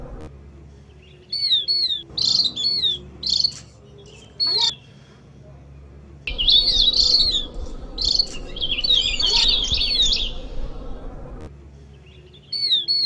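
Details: Javan grey-throated white-eye on a master/lure recording: bursts of high, sweet, quickly warbled chirps in short repeated phrases over a low background hum.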